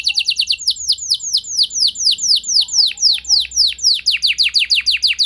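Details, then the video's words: Canary song played to draw other canaries into long singing. A stately series of clear, downward-slurred whistles, repeated roughly three to four per second, with a soft twittering undertone. "Bakal Terpancing Jadi gacor Panjang Burung Kenari Lain Segala Kondisi! Ikut Gacor Pasti Ngeplong"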